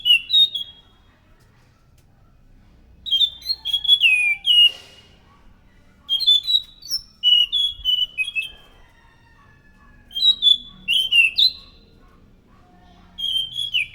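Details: Scaly thrush in loud, energetic song, used as a lure for thrushes: repeated bursts of slurred fluty whistles and warbles, about five phrases spread over fourteen seconds with short silences between.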